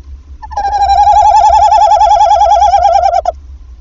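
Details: Nesting tawny owls in Wassenaar, 11 February, evening, after the first egg; male calls, female answers. One sustained quavering trill, close and clear, lasting nearly three seconds and ending with a brief burst.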